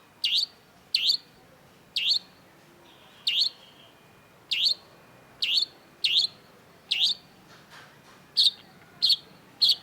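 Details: Long-tailed shrike singing vigorously, in a lure recording meant to start a shrike that has stopped singing: sharp, high chipping notes repeated roughly every 0.6 to 1 second, about a dozen in all, over a quiet background.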